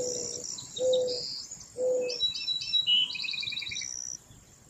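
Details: Mourning dove cooing: three low, steady, hollow coo notes, about a second apart, each held briefly. Higher, busy chirping and twittering from other small birds runs above, with a faint insect-like hiss in the background.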